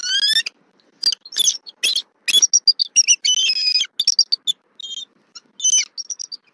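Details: Bald eagle female at a nest in Southwest Florida, 2024-11-23, calling loudly at a fish delivery by the male. A rising whistle opens, followed by choppy bursts of high, squealing chitters separated by brief gaps.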